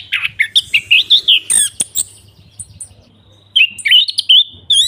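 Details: Anis kembang in gacor singing form: a string of rising whistled notes, a few sharp clicks, a pause of about a second, then warbled, trilling whistles and a high twittering finish, with a low background hum.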